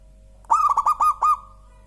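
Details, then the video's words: Local zebra dove (perkutut lokal) singing one cooing phrase: a soft low coo that breaks into five quick pulsed notes, then a faint trailing hum, over a steady low background drone. "Suara Burung Perkutut Lokal paling empuk dan gurih"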